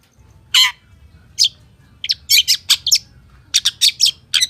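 A long-tailed shrike gives harsh, scratchy high notes in quick bursts, several clustered together with brief pauses between groups; a low hum runs underneath.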